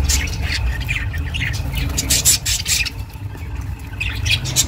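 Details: Budgerigar chirping for budgies kept alone; bursts of high, raspy chatter and sharp squeaks, fading briefly then resuming, over a steady low rumble.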